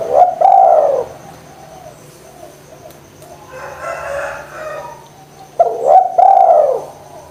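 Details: Spotted dove lure coo to encourage lazy doves to call: a loud, bowed coo phrase opens, soft muffled sounds and a brief buzzy patch fill the middle, and another strong coo pair ends it, over a low hum.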